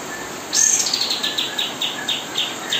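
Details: Kapas tembak song used for tutoring murai batu fledglings; a bright high trill opens, followed by an evenly spaced series of short chirps, roughly four per second, over faint hiss.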